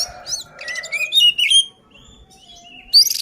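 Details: Oriental magpie-robin song meant to rile rival birds: rapid twittering notes rising into a loud whistled phrase, then a long thin whistle, ending with a sudden high burst.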